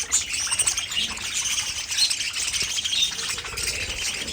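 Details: Continuous budgie chatter: many rapid, scratchy high chirps blending into an unbroken warble, with occasional sharper squeaks.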